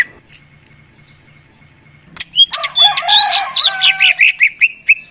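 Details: Greater green leafbird lure song: a faint thin whistle, then a loud tumbling medley of varied chirps, rattles and slurred whistles, ending in a fast run of repeated notes.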